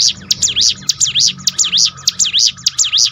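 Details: Bar-winged prinia, sung to rouse a flagging bird: loud, shrill notes that dip and rise sharply, repeated about twice per second with an even beat, and a faint steady hum beneath.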